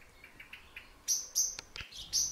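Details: Eurasian blue tits feeding at a nest inside a ceramic head: faint thin notes, then a burst of loud, very high, short tsee-like calls every few tenths of a second, with a few dry clicks.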